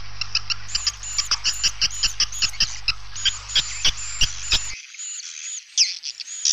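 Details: Edible-nest swiftlets on a lure track for a bird house: sharp high chirps repeated about every third of a second over a low hum, then the hum drops out and a few louder twitters follow.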